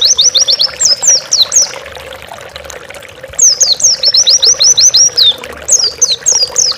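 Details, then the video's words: Song of an Oriental white-eye, used as a master recording for tutoring caged birds: fast series of high, slurred downward chirps, a short lull, then a longer run of repeated notes and chirps. "Masteran burung pleci gacor bukpar"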